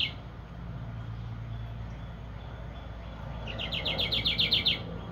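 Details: A wild song sparrow (owner suspects) that frequents a bird house under a carport in New Jersey gives a quick trill of about eight bright, evenly spaced notes over a low, steady hum of distant traffic.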